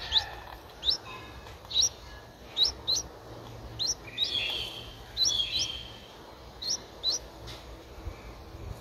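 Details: Nine-day-old Streak-eared Bulbul nestling at Ubon Ratchathani, Thailand, 11 April 2023. Scattered thin, sharp chirps about once a second, broken by a couple of longer, clearer whistled notes in the middle.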